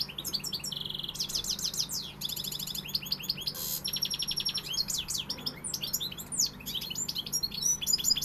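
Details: Pegada-style song of a European goldfinch, loud and continuous: dense tinkling twitters, fast trilled runs and a harsh buzzy burst, the phrases pouring out almost without pause.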